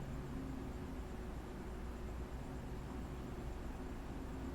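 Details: A steady broadband hiss with a low hum throughout and no animal calls.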